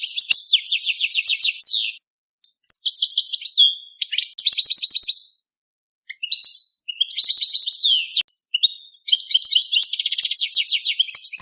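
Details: Nearly nonstop European goldfinch mating song: long runs of bright, rapid, tinkling trills and buzzy twitters with descending slurs, broken only by short pauses.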